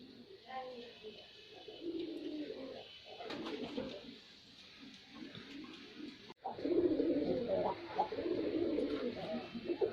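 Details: Male white pigeon's display cooing: soft, low rumbles, a sudden break, then louder, fuller rolling coos continuing to the end.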